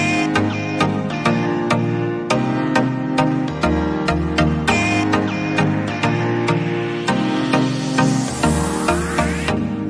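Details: Steady electronic music with a regular beat and sustained chords; no bird or other animal voice stands out.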